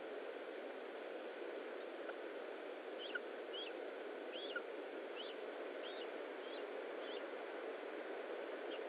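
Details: Lesser spotted eagle at a nest in Estonia during feeding, 20 July 2012 at 15:45; about eight short, thin, high whistled calls, each sliding downward, come in a loose series over a constant steady hiss.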